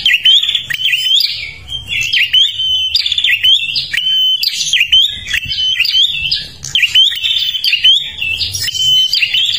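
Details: Prinia of Kalimantan, a keen singer used to lure other birds: loud high-pitched chirping and trilling in quick successive phrases, frequent bright whistled slides, almost no silence, faint low rumble underneath.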